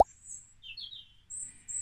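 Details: European robin (Erithacus rubecula), British bird, song: a brief burst of thin, very high, sweet notes in several short phrases in quick succession, after a soft click; higher, child-like whistle compared with a blackbird's.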